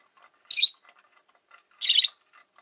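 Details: Two drawn-out, scratchy shrieks a little over a second apart come from rosy-faced lovebirds, five kept in a window-side cage, with soft chatter and faint town noise underneath.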